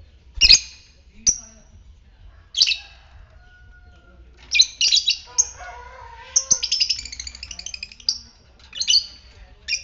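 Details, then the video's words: Lovebird, fighter type, ngetik style, used to provoke ngekek in other lovebirds; scattered piercing chirps at first, then a denser run of rapid chattering notes, and more sharp squeaks. "Pancingan lovebird ngetik fighter merangsang ngekek"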